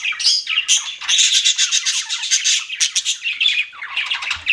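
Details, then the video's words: Several pet budgies keep up an unbroken, bright warbling chatter, packed with fast scratchy trills and sharp squawks, loud and high from start to finish. "CUTE PET BUDGIES CHIRPING"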